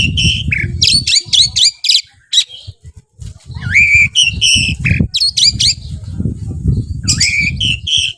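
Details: Oriental magpie-robin (kacer) belonging to a hobbyist, singing vigorously. Quick series of sharp chirps and slurred whistles repeat in varied phrases, with persistent low thumping and rustling noise beneath.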